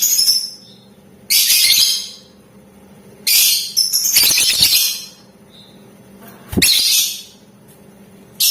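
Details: Lovebird ngetik ngekek chattering, meant to goad other lovebirds into answering: repeated harsh, hissing, screechy bursts of one to two seconds separated by short gaps, with a sharp knock near the end.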